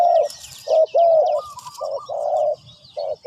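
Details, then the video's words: Mellow, throaty coos from a spotted dove, a few short notes then longer level hoots, repeated at an uneven pace, with soft high bird twitters behind. "Sound Of Spotted Dove is so good"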